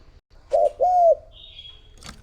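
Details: Spotted dove used as a lure bird to attract other doves, giving two loud low hooting coo notes, the second longer and slightly downslurred, followed by a thin high steady whistle from another bird and a short click.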